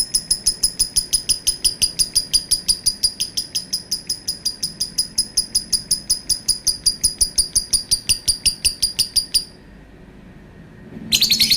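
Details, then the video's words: Lovebird in a long, sustained run of rapid, sharp high chirps, about three per second and very even, lasting over nine seconds before a pause and a new harsh burst. "Burung Lovebird bunyi suara panjang bikin geram"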